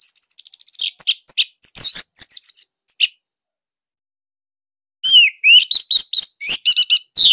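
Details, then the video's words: Caged Orange-headed thrush from Bali, its tight, loud song valued as master material for other thrushes; fast high chattering and mimic-like twitters in dense bursts, a silent gap, then more rapid varied phrases. "Kicauan Joss ANIS MERAH Pancingan Masternya Para JUARA"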